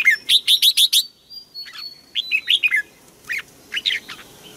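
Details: Thai bird singing: a rapid run of five loud, bright chirps, then a thin high whistle and looser groups of descending chirped notes.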